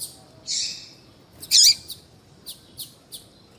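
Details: Female double-collared seedeater calls used to stimulate a male's singing: a drawn-out hissing note, a single loud harsh chirp, then three soft, evenly spaced high ticks.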